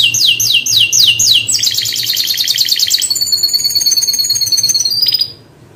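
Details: Canary singing: a series of fast, high, downward-sweeping notes repeated several times, then a dense buzzy roll and a thin, high whistled trill that stops abruptly.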